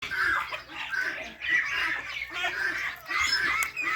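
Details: Parrots chirping, a dense harsh chatter of overlapping squeaky notes in pulsing bursts about every second, with little background noise.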